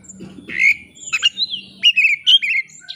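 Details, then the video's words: Short burst of Oriental magpie-robin song meant to provoke a rival into singing: a harsh squawk, then a quick run of whistled and slurred notes, with low background hum at the start. "kacer ngeplay cari lawan. pancingan kacer agar bongkar isian.!!!"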